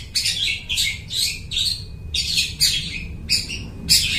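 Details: Long-tailed shrike in full song, imitating other birds, used as a lure for trapping: harsh, scratchy chattering bursts repeated about every half second, high-pitched and dense, with a steady faint low hum beneath.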